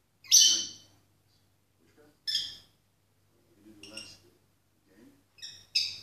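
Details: Pet female peach-faced lovebird singing along to the television, giving five short shrill screechy chirps at irregular intervals over soft TV speech.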